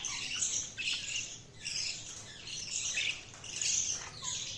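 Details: Budgies giving busy, overlapping chirps and raspy squawks in an unbroken flock chatter, bright and high with no other clear sounds.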